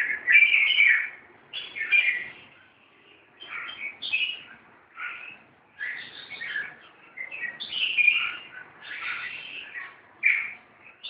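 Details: Red-whiskered bulbuls fighting, giving harsh, scratchy chattering bursts that rise and fall in bright bands, in clumps roughly every one to two seconds with brief pauses between.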